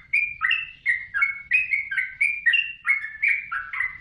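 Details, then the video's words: Master training recording of a yellow-vented bulbul singing: bubbly, slurred phrases of two or three notes, bright and liquid, following closely in a steady, busy chatter with soft low background noise. "Suara Burung Trucukan | Gacor"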